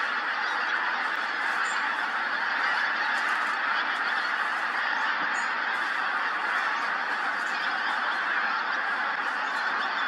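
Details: Pink-footed geese massed at Montrose Basin as the tide goes out, calling together in an unbroken, busy chorus of honks, with occasional sharper high-pitched yelps rising above the flock.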